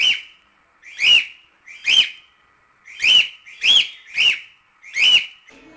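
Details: Cockatiel repeating piercing rising-and-falling whistles, seven calls in under six seconds, some in quick pairs, ending with a soft scratchy sound.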